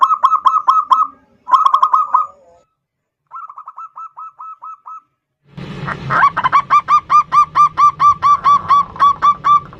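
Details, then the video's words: Local zebra dove lure song in the 'ndudut' variation, meant to make a rival bird emotional and sing. Clipped coo bursts and a softer phrase, then a long, loud string of regular rolling coos over low background noise. "Perkutut Lokal GACOR suara VARIASI NDUDUT Ampuh memanggil Lawan EMOSI MANGGUNG PANCINGAN PERKUTUT"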